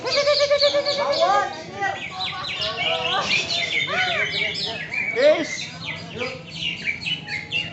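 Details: Greater green leafbird singing during a bird singing contest, a varied rapid stream of whistled and chattering notes sweeping up and down, dense overlapping phrases with voices of people faintly beneath.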